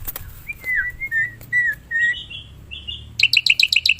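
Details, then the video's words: Black-winged myna in the wild giving drawn-out, slurred whistles and a thin higher note, then a burst of rapid, evenly repeated sharp chips. "Suara burung jalak putih"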